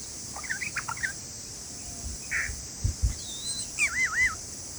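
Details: Bulbul father calling to warn of a predator and protect its chicks: quick chirpy notes early, a short burst midway, then a wavy, warbling whistled phrase near the end, over a steady high insect hiss and low rumbles.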